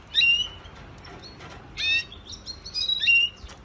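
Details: Red siskin cage-bird training song: brief high whistled phrases and twitters in short bursts with gaps, fairly quiet.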